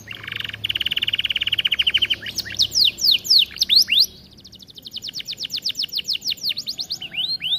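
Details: Domestic canary, called kenari, singing in an aviary, offered as a model song for training other canaries; a fast rapid trill of high notes, then swooping downslurred whistles and another quick repeated trill.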